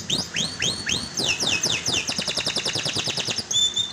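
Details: Canary song used as a lure to coax a silent canary into singing: repeated rising whistled sweeps, then a fast, even rolling trill and a sharp high note at the end.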